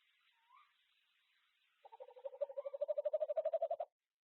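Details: A tawny owl of a courting pair at Ash Tree, filmed 06/02/2025, gives a soft, quavering courtship hoot: about twenty quick pulses in two seconds, rising a little in pitch and loudness. A faint chirp comes just before.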